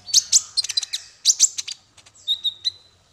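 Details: High chattering song of a male kolibri ninja, meant as a tutor for songbirds: quick bright twittering bursts, then a short clear level whistle that fades.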